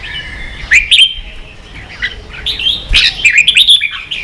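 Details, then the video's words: Red-whiskered bulbul, caged and roused to compete, sings two loud whistled bursts early, goes quieter, then a longer rush of quick rolling phrases with a faint low knock. "Chào mào kích đấu căng lửa chơi cực hay"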